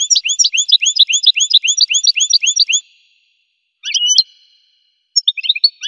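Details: Goldfinch song: a rapid run of bright, high, upswept chirps repeated several times a second for about three seconds, then after a pause two short sharp twittering bursts, on a silent clean background.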